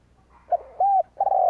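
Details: Spotted dove cooing as a lure for wild birds. A brief run of mellow low notes: a short coo, a steady held coo, then a rolling, vibrating coo cut off at the end.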